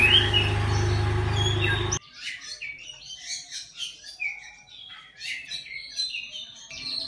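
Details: Oriental magpie-robin singing at midday, a song used to set off other magpie-robins: after two seconds of loud humming noise, a quieter run of varied whistles, slurs and chattering notes follows.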